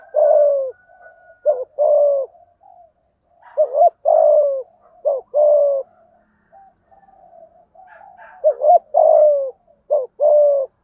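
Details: Spotted dove cooing in the 'thúc gù' style with a 'thổ' voice, meant to spur birds to call quickly; repeated phrases of clipped double notes then a longer descending coo, low murmuring between rounds.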